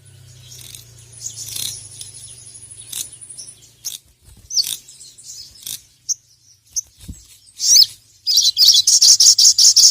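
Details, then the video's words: Sogon sunbird calling a rival: scattered sharp high chirps and twitters, ending in a loud, fast high trill. A low steady hum is heard early on. Made for training other birds. "SOGON GACOR NGERIWIK LANGSUNG BONGKAR EMOSI dengar masteran burung sogon gacor memanggil lawan ini"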